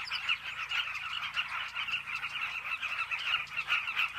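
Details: Cliff nesting colony of Carmine bee-eaters, heard as a thick layer of many throaty, purring calls overlapping without pause, with occasional sharper notes standing out.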